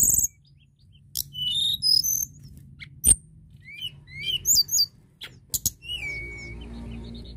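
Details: Crested lark in full song to encourage other birds to sing: varied high whistles and twittering bursts between loud clicks, ending on a long falling whistle, with faint hum behind.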